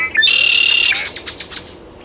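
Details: Great-tailed grackle recorded in Taos, New Mexico, 17 June 2017: a loud harsh, strained high note held for most of a second, followed by a quick series of fading clicky ticks.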